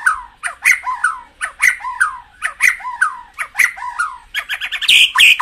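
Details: A white-rumped shama sings loudly, a recording meant to excite kept birds: looping, warbled whistled phrases about once a second, ending in higher, buzzier notes.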